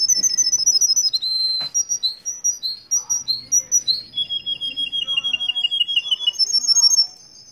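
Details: Russian canary from Kuwait singing a bright, varied song: sharp high whistled notes and quick repeated chips, then a long rapid rolling trill near the end, with a faint voice low in the background.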